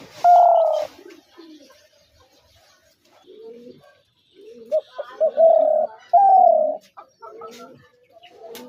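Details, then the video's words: Spotted dove, a hunting decoy bird, gives a long loud coo, then after softer lower cooing from other doves, a rapid cluster of short notes leading into two more drawn-out hollow coos. "শিকারী ঘুঘুর ডাক ২০২৩ /Dove birds sound effects /gugu pakir dak"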